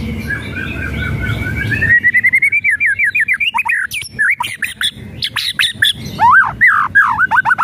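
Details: White-rumped shama song used as a lure to rouse a quiet bird: a sustained wavering whistle gives way to rapid repeated slurred notes, sharp clicks and loud downward-sweeping whistles, mixed whistling and rattling.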